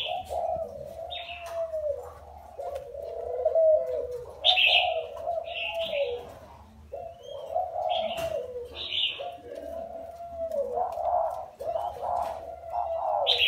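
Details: Wild-caught spotted dove kept caged for four years, cooing indoors: low, hoarse, rounded coo phrases repeated in runs with brief pauses, while sharp high chirps from other birds cut in between.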